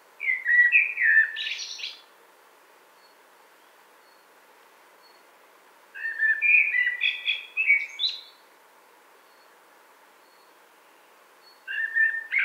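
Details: A common blackbird in a spring wood in 2017 sings mellow, fluty warbled phrases that end in higher squeaky twitters, each about two seconds long and separated by pauses of several seconds.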